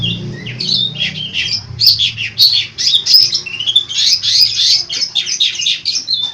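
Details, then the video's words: Long-tailed shrike delivering a lively song full of mimicked phrases, fast high chirps, whistles and scratchy notes tumbling together, with some low hum at the start. "burung cendet gacor full isian unik"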